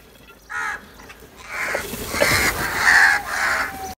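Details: A crow gives loud, harsh caws: one short call, then a longer run of drawn-out, rasping caws close together near the end.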